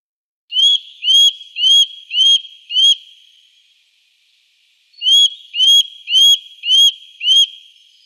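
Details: Eurasian nuthatch with two series of five loud, clear, upward-curving whistles, spaced about half a second apart, with a pause of around two seconds between the series.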